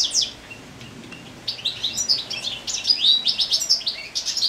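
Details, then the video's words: European goldfinch singing in late summer while moulting: after a brief opening chirp and a quiet gap, a fast, bubbly run of high twittering and tinkling notes. "Goldfinch singing naturally song"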